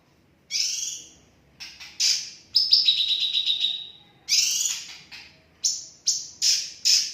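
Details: Bulbul song played as a lure to set caged birds singing: loud, very high clear chirps and a sustained trilled phrase, delivered in separated bursts, with a quiet background.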